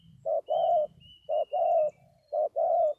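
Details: Three mellow two-part coos from a spotted dove, a brief note then a longer hollow one, repeated evenly about once a second over a faint low rumble and a thin high whistle.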